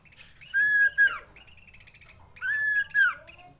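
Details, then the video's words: Common iora song used as a lure to raise breeding urge in kept birds: two loud, clear whistled phrases, each a sustained level note about half a second long followed by a short upslurred note, separated by a pause of about one and a half seconds. "CIPOH SIRTU CIPOW NGEROLL PANJANG COCOK MENAIKAN BIRAHI"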